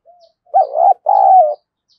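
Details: Decoy spotted dove cooing to stir up a fight: a faint introductory hoot, then a powerful paired coo with a bending first note and a long, slightly falling second note.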